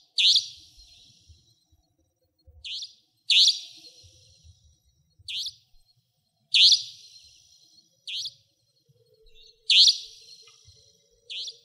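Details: A Savanna Nightjar in Pingtung County, Taiwan, a nocturnal, territorial resident, gives sharp, shrill, slightly buzzy 'tchweep' notes, loud ones roughly every three seconds, each trailed by a softer echo-like note; faint low rumble beneath.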